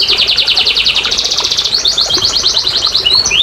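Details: Canary song used as a lure to get lazy, quiet canaries singing: a fast, even high trill of rapid notes for about two seconds, then a string of quick downward-slurred whistles and short chirps, with no other clear sounds.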